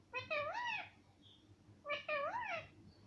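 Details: Pet parrot voicing mummy and papa: two strong two-part utterances, each a short note followed by a longer arching, rise-and-fall tone with rich harmonics, over a quiet indoor background.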